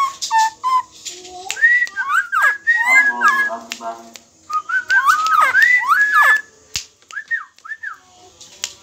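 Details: Hand-held cagebird from Lombok, locally called koak kaok, singing energetically: varied whistled phrases with rising and falling slurred notes, some buzzy, in bursts with short pauses.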